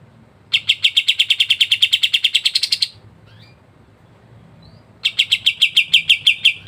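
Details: Kapas tembak tutor bird singing gacor ngebren: a rapid rattle of crisp notes rising slightly at its end, a long pause with faint soft calls, then another fast burst.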